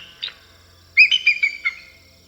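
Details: Bald eagle, national symbol of Canada, found in aquatic and coastal areas: a single thin high note, then a quick chittering run of about five piping, slightly descending whistled notes, with no other sounds.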